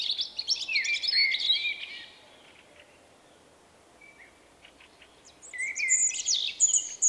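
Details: Unique-sounding song of a shy male common blackbird, late March 2024: a rich whistled phrase with high twittering, about three seconds of near silence, then another whistled phrase climbing into squeaky high notes.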